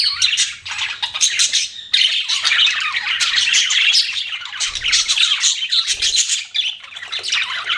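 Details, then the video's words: Several pet budgies chirp and squawk in a thick, unbroken chorus of scratchy warbling and short sharp notes, with a few dull thuds in between. "BUDGIES CHIRPING SOUND"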